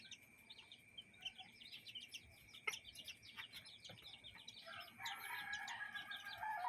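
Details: Chickens with their chicks in a yard and coop, a rapid stream of high, thin peeps overlapping, with a few soft clucks and a louder, busier burst of chirping near the end.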